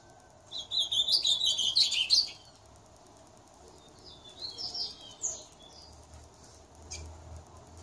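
An ultramarine grosbeak delivers a rich, rapid warbled phrase of sweet whistled notes lasting about two seconds, followed by quieter, softer notes and a faint background hum.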